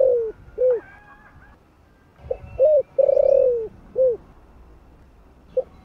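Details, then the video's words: Deep 'thổ'-voiced spotted dove coo, used to rouse newly caught birds: the tail of one phrase, a pause, then short hooked coos around a long sinking drawn-out note. Faint high twitters sound behind it. "Cu gáy giọng THỔ ( không biết thổ gì ) kích bổi cực hay"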